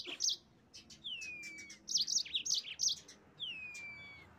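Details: Yellow-fronted canary (mozambik) song meant to stir rival birds into singing: quick high chirps mixed with two long sliding whistles that fall in pitch.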